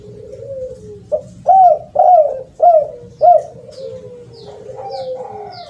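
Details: Lure recording of a spotted dove, a soft slurred coo followed by four loud, bent coos and lower trailing notes, with faint high chirps of another bird behind.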